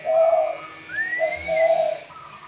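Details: A myna singing on and on, loud enough to bother the neighbours: mellow low whistles broken by a smooth rising whistled slur, then more mellow whistled notes, all loud and close.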